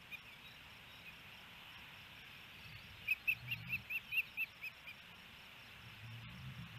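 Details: Osprey at a nest in Hellgate Canyon, Missoula, Montana, on 28 May 2018, filmed by a nest camera as a male brings a fish and feeds the female: a brief run of about eight thin, high chirps over steady background hiss.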